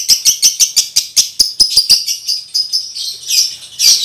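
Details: Male lovebird in breeding condition, a tutor for training young males at home: a fast series of sharp, shrill clicking notes about six a second, then a blurred high chatter and a final loud squeaky burst.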